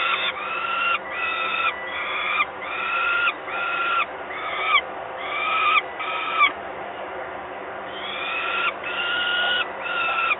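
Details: Three young Peregrine falcon chicks on a nest camera in Gdynia, 30 May 2021, give harsh, wailing calls, each about half a second long, repeated almost without pause over a steady low hum.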